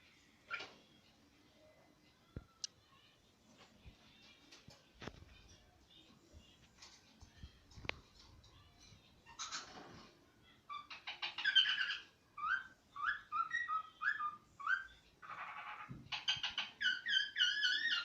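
A cockatiel sings a run of bright, warbling whistles after a quiet start with soft clicks.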